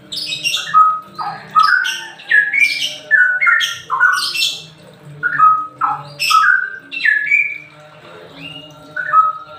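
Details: Semi ropel song of a straw-headed bulbul, meant as a lure and therapy for birds slow to sing: a fast run of bubbling, whistled phrases with sharp upward flicks, about eleven in nine seconds, then quieter tail notes.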